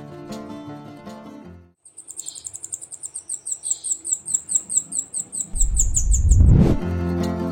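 Golden-rumped Flowerpecker giving a fast run of very high, thin ticking notes, about four a second, with music before and a loud whoosh after.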